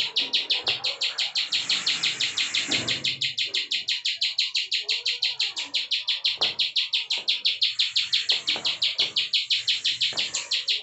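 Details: Bar-winged prinia giving a 'klik' song, a highly active bird used as a tutor recording for cage birds: a steady run of sharp, high clicking notes about three per second, throughout, with faint low rustles beneath.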